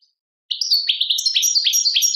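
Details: Goldfinch singing in the Tadmait song from Algeria, a brisk run of high chirps and tinkling twitters after a short silence, notes repeated rapidly with a few dipping slurs.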